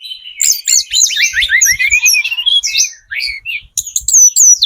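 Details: Lure song of a spotted Sunda robin, very vocal, meant to make other birds respond: a dense tumble of high descending whistles and chirps, then scattered sharp notes after a brief pause.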